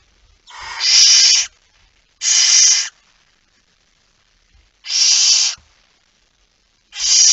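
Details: Barn owl in Friesland, Netherlands, at 23:55 on 17 September 2019, carrying a mouse, giving four harsh, hissing screeches of about a second each, roughly two seconds apart, in a quiet night.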